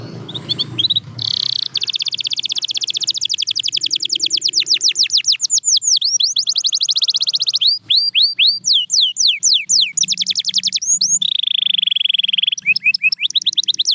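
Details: Canary singing to motivate quiet canaries: faint low murmur at first, then a long buzzy trill, runs of sharply falling whistled sweeps and rolling tours, with a soft low hum at times.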